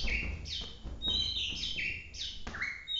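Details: Competition-class white-rumped shama from Bahorok singing full-emotion 'tembakan' phrases: bright whistled notes sweeping up and down, heard against a noisy, rumbling background.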